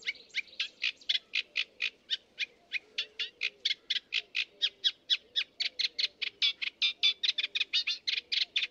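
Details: A sedge warbler, recorded with a homemade parabolic microphone, sings a fast, unbroken run of harsh, scratchy chattering notes, about four a second, for nearly nine seconds over a faint low hum.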